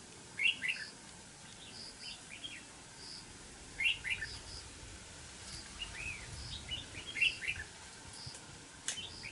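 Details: Red-whiskered bulbul singing while fighting a trapped decoy bird, short lively warbled phrases recurring every one to two seconds, with softer replies between them against a hissing background.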